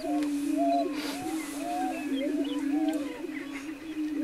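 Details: Greater prairie-chickens on a lek near Wray, Colorado, April 17, 2011: steady low booming hum with overlapping curved whooping calls and soft chatter above it.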